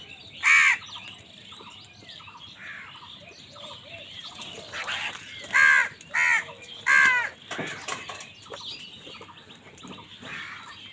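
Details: Angry crows competing with wild birds over food give four harsh, raspy caws, one early and three close together later, amid a busy chorus of whistled and chattering calls from other birds.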